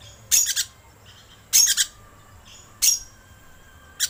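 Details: Green lorikeet lure call made of loud, harsh shrieking bursts, each a quick double or triple, recurring about every one and a quarter seconds.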